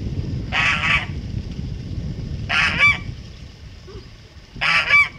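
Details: Male Kholmogory goose of 2014, pure white, farm-kept, sounds three loud harsh double honks spaced about two seconds apart, each a brassy nasal blast, with quiet low noise between them.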